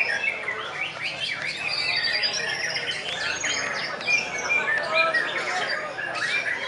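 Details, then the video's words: White-rumped shama singing at a bird-singing contest in Pekalongan, main-class round: dense overlapping whistles, trills and rapid chattering phrases from several birds at once, high and continuous, with faint crowd murmur beneath. "MURAI BATU"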